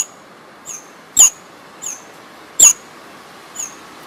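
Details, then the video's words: A sparrow in a jungle gives short, high chirps, about six in four seconds, two louder than the rest, over a soft steady background hiss. "Sparrow Sound"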